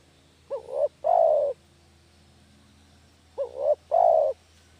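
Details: Village spotted dove cooing, recorded as a lure for catching doves: two phrases roughly three seconds apart, a brief two-note quaver then a long, soft, descending coo, with a faint steady hum.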